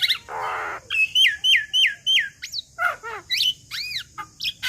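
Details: Young captive Javan myna, a tutoring recording for training birds: a harsh buzzy burst, then a run of four rising-falling whistled notes, sharp upslurs and arched squeaky notes in quick irregular succession.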